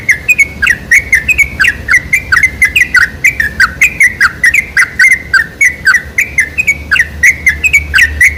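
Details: Sooty-headed bulbul song, offered as a lure to set bulbuls singing: energetic, continuous chatter of bright whistled chirps with quick pitch slides, several notes each second throughout.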